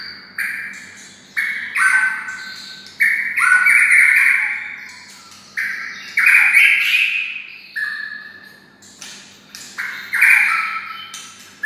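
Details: Pet white-rumped shama raised near red-whiskered bulbuls, singing like a bulbul. Short, loud phrases of rich, slightly harsh whistles are delivered roughly every one to two seconds, with brief silences between them.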